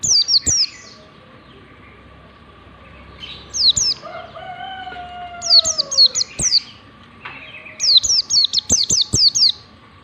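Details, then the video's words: Ngalas-style white-eye lure song: repeated bursts of quick, high downslurred whistles, plus a lower drawn-out sliding tone near the middle and a steady faint hum throughout. "pancingan pleci ngalas standar 123, PLECI BELAJAR NGALAS LANGSUNG IKUT NGALAS"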